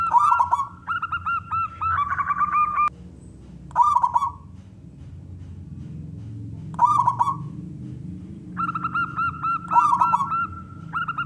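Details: Big-voiced local wild zebra dove calling to draw other doves into song: trilled cooing phrases alternate with runs of short repeated notes, separated by quiet gaps, with low hum throughout.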